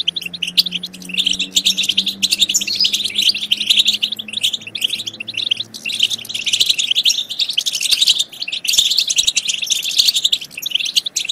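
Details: Goldfinch twittering used to spur goldfinches to sing and mate. Dense, high chirping and trills run throughout, over a faint, low, steady rising tone during the first six seconds.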